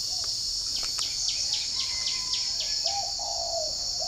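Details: Spotted dove in a bird garden at Ba Vi, Hanoi, Vietnam, calling to wild doves outside in the morning. Faint chirps give way to a few gentle, hollow coos, one stretched longer, over a loud, even insect hum.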